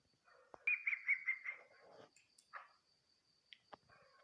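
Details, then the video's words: Female chukar partridge calling: a quick run of five rising, chirping notes, then scattered softer clucks and clicks, over a faint constant high whine. "chakor birds voice awaz sound chukar"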